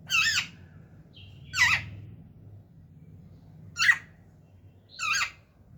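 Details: Pet talking parrot indoors producing four separate rasping squawks, each brief and buzzy, spaced roughly one to two seconds apart, with a faint whistle between the first two and low room hum beneath.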